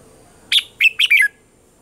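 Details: Single brisk phrase from a red-whiskered bulbul singing a mature wild-forest morning song, used for training caged birds: four quick, rich whistled notes, the last slurring downward.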